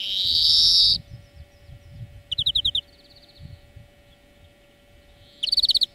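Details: European greenfinch song used as a lesson for training birds: a long loud nasal wheeze opening the phrase, then short rapid trills of buzzy notes after pauses, with a steady faint background hum.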